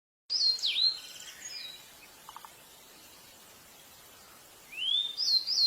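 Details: Pied bushchat singing: a short phrase of bright, sweeping whistled notes, then a quiet pause, then a rising whistle that begins another phrase near the end.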